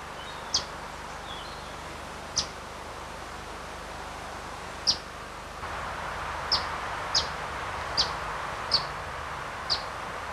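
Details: Eastern Bonelli's warbler (Phylloscopus orientalis), a vagrant at Whitley Bay Cemetery, Tyne & Wear, on 29 September 1995, giving its distinctive eastern call. Eight sharp, high single chip notes, irregularly spaced and quickening toward the end, come over wind and distant noise.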